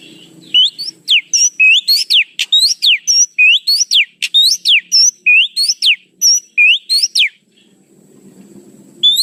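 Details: Oriental magpie-robin lure recording: a rapid, steady series of sharp, sweeping whistles, many sliding steeply up or down, about three per second. Faint low background rumble at the start and end.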